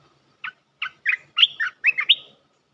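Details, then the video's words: Bulbul (merbah belukar) lure call meant to draw a resident territorial bird down: a quick run of about six bubbly, liquid chirps, rising and falling over two seconds, in quiet surroundings. "Suara pikat merbah belukar"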